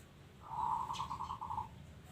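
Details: Local zebra dove giving a quick string of about nine soft, pulsed coo notes in a little over a second, evenly spaced, against a low background rumble.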